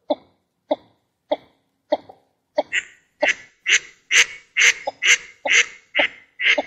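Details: Northern shoveler, female and male, calling: about four soft, low, clipped notes at half-second intervals, then a steady run of louder, harsher, nasal notes repeated roughly twice a second, growing stronger toward the end.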